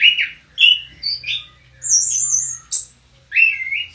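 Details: Orange-headed thrush singing as a kept house bird: loud varied phrases, short slurred whistles mixed with a long high buzzy note and a warbled ending, separated by brief gaps.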